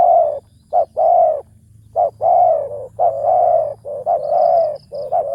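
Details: Spotted dove kept as a ground decoy, calling in a deep ku ang kham style. It gives a dense string of low mellow coos, short notes running into long sustained ones with few gaps.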